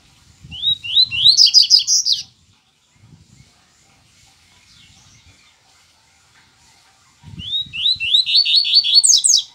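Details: Yellow-bellied seedeater singing twice: each burst of rising whistles runs into rapid high trills, separated by a pause with faint low knocking and rustling sounds.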